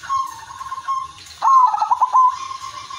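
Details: Single phrase from an 'udanmas silver' zebra dove singing to set off other zebra doves: a loud mellow coo breaking into a rapid, slightly descending rolled trill, preceded by a faint steady hum.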